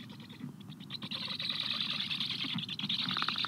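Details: Black stork nest during a feeding of the chicks by a parent, afternoon of 14 July 2022: a continuous, grating, buzzy chatter of fast rough pulses that swells louder after the first second and runs on without pause.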